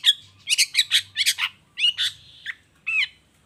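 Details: Long-tailed shrike in lively 'toet toet' song meant to provoke lazy shrikes into answering: dense, raspy chattering bursts mixed with a short thin whistle, packed closely over a few seconds.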